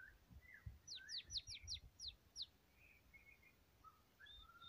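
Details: White-rumped shama, described as a lively gacor singer, giving a fast series of sharp descending high notes repeated about three per second, followed by scattered short whistles and soft warbles.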